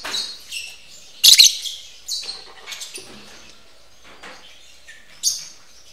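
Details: Mating lovebirds kept at a breeding aviary give scattered shrill, squeaky chirps in short bursts, including one loud harsh burst early on and a last sharp chirp near the end, separated by quiet gaps.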